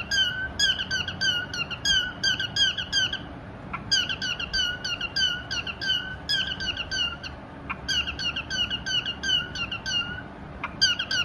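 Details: A pet pied cockatiel sings rapid bursts of bright, chirpy whistled notes, repeated in quick phrases with brief pauses.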